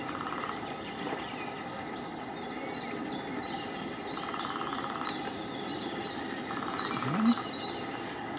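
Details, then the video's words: Lesser spotted woodpecker in a dead tree at Diemer Vijfhoek, Netherlands, 30 March 2019, giving runs of thin, high, evenly spaced 'kee-kee-kee' notes, each about a second long, over distant traffic hum and other birds. "Kleine Bonte Specht"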